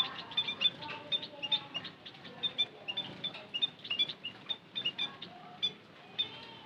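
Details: White-headed munia lure call, with rapid high, squeaky chirps tumbling over one another from more than one bird, fairly steady throughout, over a faint low murmur.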